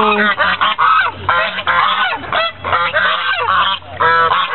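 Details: Flock of white geese at Lake Elizabeth, Fremont, California, filmed 24 November 2013, giving loud, harsh, nasal honks in rapid overlapping bursts, several birds calling at once with brief gaps between volleys.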